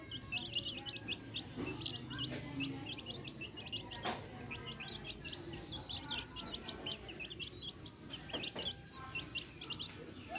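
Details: Steady chorus of high, squeaky chick peeps from a backyard flock of hens with chicks, continuing throughout, broken by scattered sharp tapping clicks, likely pecking, over a low rumble.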